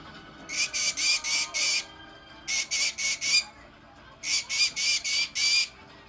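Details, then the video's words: Green-cheeked conure screeching in three bursts of four to five loud, harsh, rasping squawks, each burst about a second long with short pauses between. A person speaks softly nearby. "Green Cheek Conure making noises"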